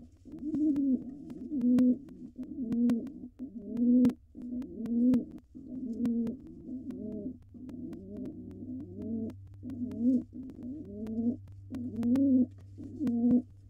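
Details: In a nest box, a wild male pigeon courts his mate before laying as she dances. A long run of about a dozen low, rolling coos follows in quick succession, with scattered clicks and a low background hum.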